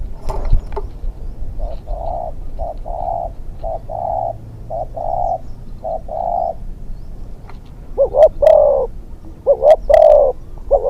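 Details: Spotted dove used as a hunting decoy, a young bird in its second training session, gives a long series of soft, even hollow coos, then louder stuttering coo phrases toward the end, over a quiet outdoor backdrop.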